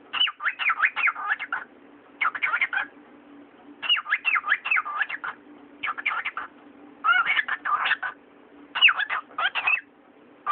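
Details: Talking pet cockatiel, a corella, repeating phrases of rapid warbled word-like syllables in bursts about one to two seconds long, separated by short pauses, over a constant low electrical hum.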